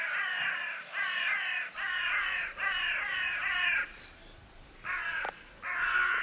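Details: Hooded crows foraging in a meadow, one working at an acorn; run of five rapid hoarse caws almost joined together, then a pause and two more harsh calls.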